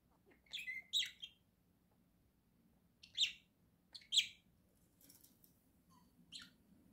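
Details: Pair of caged pet budgerigars indoors in November 2024 chirp in short buzzy bursts about once a second, spaced by quiet gaps, over a faint steady hum.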